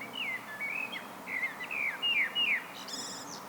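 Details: Common blackbird, Turdus merula, in solo song: a string of rich warbled whistles, six quick swooping phrases in a row, closing with a thin high chattering flourish, steady low background noise.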